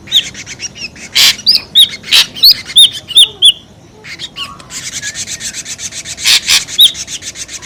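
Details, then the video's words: Ashy drongo in a noisy lure call: a busy mix of short hooked whistles, harsh rasping bursts and dense high chatter, with another high chattering stretch in the second half. "SUARA PIKAT SRIGUNTING RIBUT | SUARA PIKAT SRIGUNTING ABU ABU"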